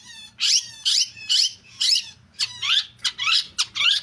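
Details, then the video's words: Long-tailed shrike (cendet) repeating harsh, rasping, buzzy notes roughly twice a second, about nine in a row, some doubled and clipped; quiet room-like background with low hum. "Burung Cendet Pastol"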